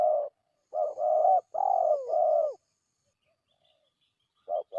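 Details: Spotted dove lure call to draw in wild doves, a loud burst of rapid low coos run together into a phrase, a silence, then two short coos starting again.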